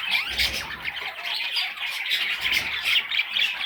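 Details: A brood of baby parrots squawks loudly, with harsh, scratchy high calls crowding over each other in a constant jumble.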